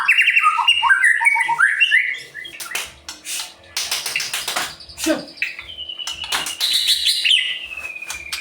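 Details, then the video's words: White-rumped shama in full, active song, used to provoke less spirited birds into singing. Rich whistled phrases, rising and falling with quick slurred notes, mixed with sharp broadband clicks and rattles between phrases. "Murai Pastol Gacor Cocok untuk Memancing Burung Yang Kurang Emosi"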